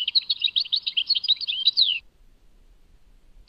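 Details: Tadmait European goldfinch: a two-second burst of lively twittering with chirps, slurs and a descending whistled note, then silence until a new phrase starts at the end.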